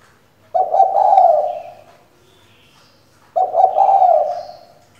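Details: Female spotted dove kept as a decoy to stir males into singing: two loud, low, smooth coos, each about one and a half seconds long and fading out, with a pause of over a second between them. Faint chirps from other birds are heard.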